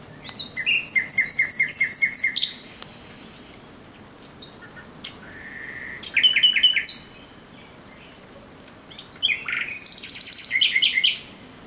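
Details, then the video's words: Thrush nightingale's night song, recorded 17 May 2023: loud phrases of rapid, rattling repeated clicks and knocking notes, separated by pauses, with a short rising whistle between phrases. "Śpiew słowika rdzawego nocą."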